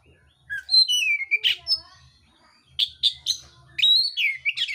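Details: Fighting song of an oriental magpie-robin: descending whistles ending in harsh buzzy notes, then a run of rapid sharp chips and a final gliding whistle, over a soft low mechanical hum.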